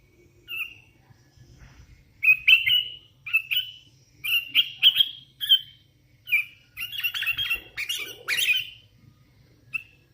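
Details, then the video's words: Sooty-headed bulbul, a hand-fed young bird, singing a lively series of quick whistled and chirping notes in clusters, growing busier and more jumbled toward the end, over a soft low hum. "Suara ASLI kutilang LOLOHAN GACOR"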